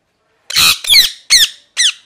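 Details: Parrot calling with a rough, noisy screech followed by three sharper falling squawks spaced roughly half a second apart.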